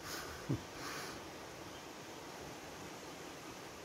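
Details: Steady broadband hiss with a brief low thump near the start, and no animal voice.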